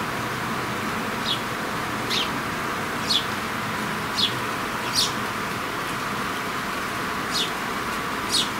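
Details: Mother sparrow feeding her grown chicks; short, high, scratchy chirps, about one a second and unevenly spaced, over a steady rushing background hiss.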